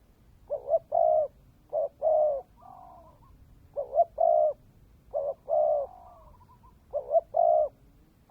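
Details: Spotted dove, a Vietnamese decoy bird (cu mồi đất), cooing: three phrases, each a short hoarse note followed by a longer, fuller rolling coo, with a softer wavering tail after some phrases. The phrases repeat roughly every three seconds over quiet background.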